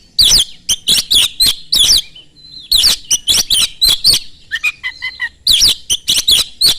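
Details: Rapid, piercing Oriental magpie-robin song meant to set other magpie-robins singing, made of loud harsh chattering bursts in quick series. A short pause brings a few softer whistled notes before the chatter resumes.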